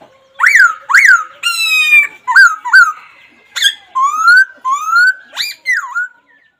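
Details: Laughingthrush calls: a series of separate loud whistles, some sharply upswept and some long, level or slowly rising, spaced roughly every half second.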